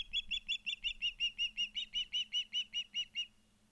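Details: Rapid run of shrill, even chirps, close to three a second for about three seconds, from ospreys on their nest at Charlo, Montana, captured by a nest cam in September 2023; faint hum underneath.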